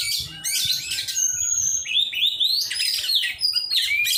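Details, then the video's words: Oriental magpie-robin during song training: rich, varied song of whistled slurs and harsh buzzy notes, rising and falling phrases delivered almost continuously, with faint low background rumble. "cara melatih burung kacer"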